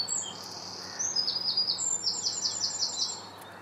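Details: Great tits by a large nature reserve next to a retreat centre: a thin high whistle, then a quick series of about six high, downslurred notes repeated roughly five times a second, over steady background hiss.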